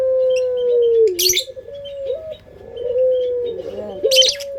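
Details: Lure recording of a local puter pelung dove. A sustained coo dips, then continues as further drawn-out level coos with a small upward flick, broken by two short noisy rustles.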